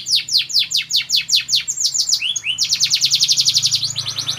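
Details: National champion competition canary in vigorous song: fast high descending sweeps, a pair of rising whistled notes, then a dense rapid trill, all loud and continuous over a low steady hum.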